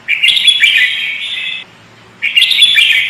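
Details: Sooty-headed bulbul, a trapping-type bird in full lively song: two bursts of bright, busy chattering warbles, the first about one and a half seconds long, then a pause and a second burst.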